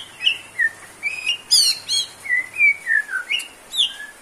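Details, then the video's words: White-rumped shama song for a low-stamina bird: a steady series of slurred whistles, some rising and some falling, about three per second, with a buzzy high trill in the middle. "MURAI GACOR!!~TERAPI UNTUK MURAI BATU YANG KURANG STAMINA ATAU NGEDROP"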